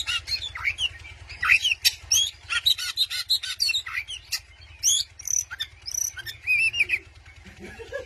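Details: Oriental magpie-robin singing to provoke a rival, a training recording: a rapid stream of varied whistled and chirped phrases, many sliding up and down, in bursts with short gaps, over a steady low electrical hum.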